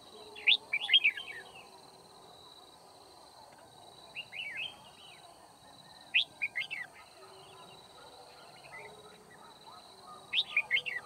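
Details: During a trapping session at Kim Bôi, Hòa Bình, 9 February 2019, a red-whiskered bulbul gives quick clusters of sharp rising and falling whistled chirps every few seconds over a constant high buzzing drone.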